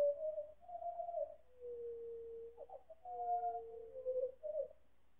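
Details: Four pied butcherbirds singing together in chorus, slowed several times over so the song sounds lower. Pure, steady whistled notes are held and then drop to a long, low, smooth tone, followed by overlapping notes and short wavering phrases.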